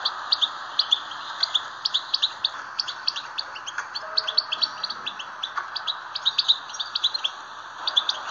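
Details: European goldfinch song played to stir other goldfinches into singing: a continuous, fast twittering of high tinkling chips and short trills, over a steady low hum.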